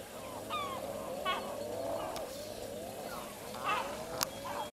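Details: Common Eiders in a flock make a steady chorus of low, rising-and-falling moans, with sharper higher calls now and then and a few brief clicks.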